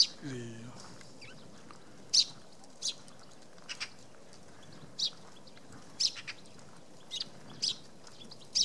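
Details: Eurasian tree sparrow calling from a hollow in a poplar, Tatyshev Island on the Yenisei, Krasnoyarsk, March 2017; brief high chirps spaced about a second apart, several in pairs, after a short low harmonic sound at the start, over faint hiss.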